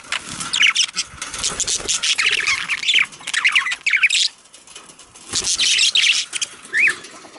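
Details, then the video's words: Budgerigars chattering in a sound said to push budgies toward mating: runs of harsh, scratchy warbling and chirps, a near-silent pause around the middle, then another burst ending in a single squeak. "صوت يحفز البادجي للتزاوج مميز"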